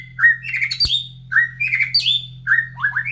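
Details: Caged white-rumped shama singing in the morning, after feeding, near the breeding cages of other birds. Short, bright warbled phrases repeat roughly twice a second, with a single sharp knock and a low background hum.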